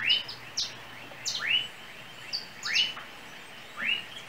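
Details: Rising, slurred chirps come from a small yellow bird on overhead cables in Trinidad, spaced about a second apart, with brief higher notes between them.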